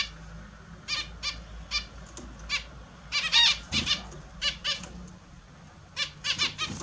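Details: Australian zebra finches bathing in the morning as pets; frequent nasal tooting calls, single and in quick pairs, clustered in a busy run midway then resuming after a brief lull, over low room noise.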